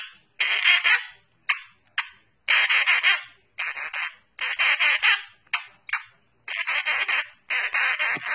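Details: Pet monk (Quaker) parakeet sings the Addams Family theme in harsh, raspy phrases, in bursts.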